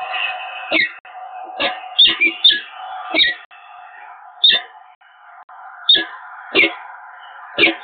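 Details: A pair of peregrine falcons meets at the Evoluon nest site in Eindhoven, 7 March 2022, trading spaced, sharp chupping notes about every half second to a second over a constant droning background.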